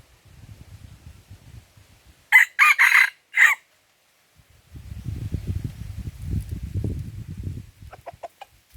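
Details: Crow of a Red junglefowl at Lamteuba in Aceh, recorded while the bird is being lured with a decoy for trapping: four abrupt, harsh bursts in quick succession, framed by low rustling and shuffling noise before and after.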